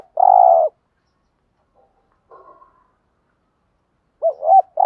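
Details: Spotted dove in the 'giọng thổ' style, cooing to set decoy birds calling: a sustained low coo, a faint muffled note later, then two quick looping notes running into the start of another long coo.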